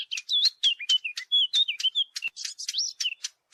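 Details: Warbler recording meant as a lure for hunting: rapid chattering phrases that mix clipped ticks with bright rising and falling whistles, notes packed about four per second, one brief gap near the middle.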